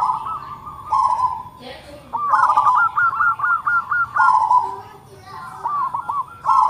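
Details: Local zebra dove with a big voice and closely spaced notes, giving fast runs of short, hooked cooing notes on a steady pitch, broken by short pauses and longer burred, rolling coos, with a faint low background hum.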